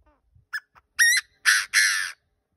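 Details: Decoy partridge calling: after a faint note come three harsh, raspy bursts, the last two longer and about a quarter second apart, then silence.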